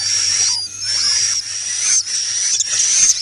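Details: High, harsh, overlapping buzzy notes from swiftlets, a roosting lure call, running almost without pause with slight wavering whistled tones on top.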